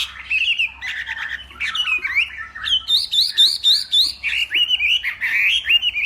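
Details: Hwamei from the northwest of Vietnam, morning contest singing: varied whistled slurs and a fast burst of repeated sharp notes, with looping rising phrases.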